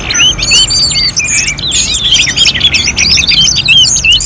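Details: Orange-headed thrush, a cage bird in Singaraja, North Bali, singing a rapid, varied stream of whistled phrases and sharp slurred notes, mostly high-pitched, with little pause between figures.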